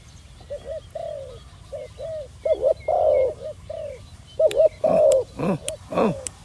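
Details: Spotted dove, a new young bird in training on its first outing to the dirt competition ground, giving short mid-pitched coos in uneven bursts, with louder cooing and sharp clicks and knocks toward the end.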